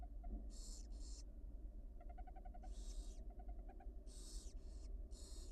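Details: Begging barn owl young in a University of Florida nest during feeding by the mother, on a live nest cam: pairs of harsh hissing screeches alternate with short runs of quick, clicking ticks, all over a steady low drone.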